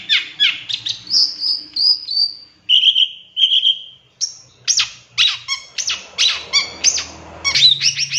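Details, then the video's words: Varied long-tailed shrike (cendet) song for a masteran pancingan, isian tembakan style: quick chips, a high trill, steady mid whistles, then rapid sharp descending notes and harsh calls. "Suara Cendet No #1❗Masteran Pancingan Cendet Isian Tembakan MEWAH"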